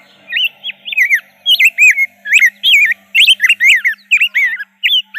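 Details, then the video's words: Rose-breasted grosbeak singing a fast, warbled string of rich whistled notes that slur up and down, delivered in quick bursts with short gaps, over a faint low hum. "kicauan indah rose-breasted grosbeak"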